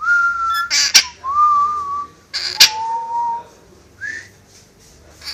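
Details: Indoor pet parrot that whistles tunes and wolf whistles: long steady whistled notes falling in pitch from phrase to phrase, broken by two loud harsh squawk-like clicks and a brief rising whistle near the end.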